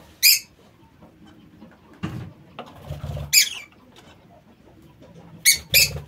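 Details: Aviary lovebirds uttering a few isolated, sharp, high squeaky shrieks, each a brief harsh burst, separated by quiet gaps with faint low rustling in the background.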